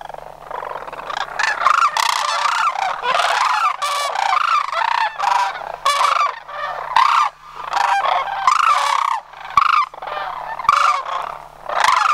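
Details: A close flock of sandhill cranes calls loudly during autumn migration at Homer in September 2009. Harsh, trumpeting, rolling calls come from many birds, overlapping almost without pause.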